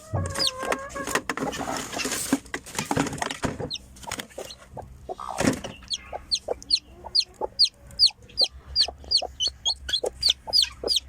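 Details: Newly hatched chicken chick calling as it first comes out of the egg, a steady run of shrill, downward-sliding peeps repeated about twice per second after some rustling and thumps.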